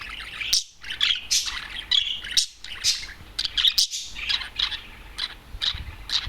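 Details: One adult male budgerigar, a kept bird let out of its cage and perched alone, singing loudly: fast, scratchy warbling and chirps in bursts, with brief pauses between phrases.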